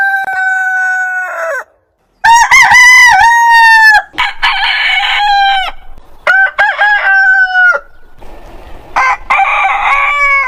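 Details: Compilation of roosters of heritage breeds crowing: several loud crows in quick succession, some clear and tonal, others hoarse and noisy, each with a wavering start and long sustained ending, split by abrupt edits.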